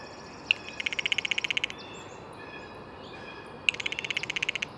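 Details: Blue jay rattling in two quick runs of a dozen or so even clicks each, separated by a pause with faint whistles from other birds.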